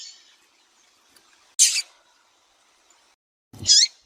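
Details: Caged female double-collared seedeater in Brazil calling to excite males for song contests; two separate brief, high, rasping chirps about two seconds apart, the second preceded by a soft low thump.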